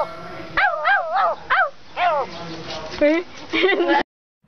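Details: Pet crow talking to its owner: a handful of separate quavering, voice-like syllables with wobbling pitch, spaced about half a second apart, ending abruptly in silence.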